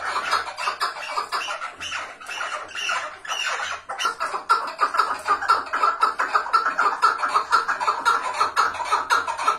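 Chukar partridges give harsh, clucking chuck notes in a rapid run of about two per second, building into a steady chattering chorus, with a faint low hum beneath.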